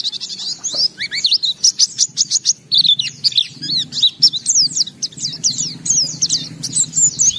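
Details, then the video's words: White-eye singing gacor with open beak and isian phrases: rapid, high twittering mixed with sharp downslurred notes and brief trills, near continuous, with a low hum in the background. "Suara Burung Pleci Gacor Buka Paruh Bongkar Isian"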